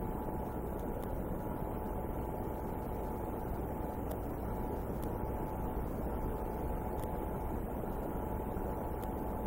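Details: Loud broadband rumble of wind or microphone noise with a faint steady hum and occasional clicks; no animal voice.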